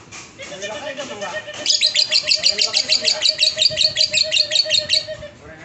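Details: Lovebird giving a fast series of shrill, high chirps that start after a soft, lower twittering. The chirps come about three per second for several seconds, then stop abruptly.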